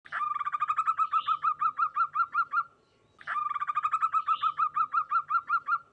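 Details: Local zebra dove ('perkutut lokal') with a very clear voice: two bouts of fast, evenly pulsed, mid-pitched cooing notes, each lasting about two and a half seconds and separated by a short pause.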